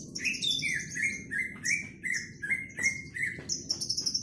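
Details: Javan bush lark, a kept bird being sunned and ready to sing, delivering loud varied song: short slurred whistles near mid pitch alternating with high thin squeaky notes, phrases every half second, over low steady background rumble.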